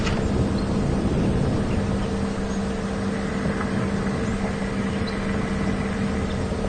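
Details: During an afternoon safari drive at Djuma Game Reserve on 12 May 2015, a vehicle engine idles loudly with a steady hum throughout, no animal sounds.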